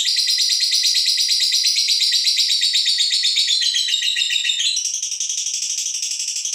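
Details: A female fighter lovebird gives its ngekek trill meant to rouse other birds: a long, rapid run of high, buzzy pulses, slightly falling in pitch, then changing to a sharper, higher chatter near the end.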